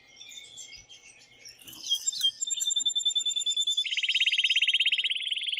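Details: Canary male singing loudly to urge a female to mate and to be heard by chicks; soft twittering notes build into a loud, very rapid pulsed trill in the last seconds.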